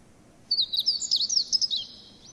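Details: Meadow Bunting song, a sparrow-like bird whose song is rendered in Japanese as 'ippitsu keijō tsukamatsuri sōrō' or 'Sapporo ramen miso ramen': a quick, high, jumbled run of sharp twittering notes lasting under two seconds.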